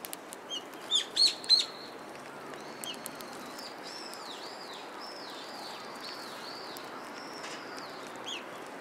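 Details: Sparrows at a Tenmangu shrine on 17 December 2016: a few loud, sharp chirps early on, then a string of faint, high, arched notes repeated roughly every half second over steady outdoor background noise.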